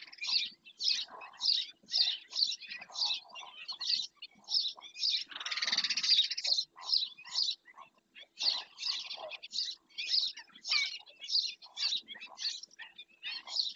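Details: Long series of sharp, grating black-winged stilt calls in Doñana park, repeated about twice a second, interrupted once by a broad rushing noise before the rhythmic yapping continues.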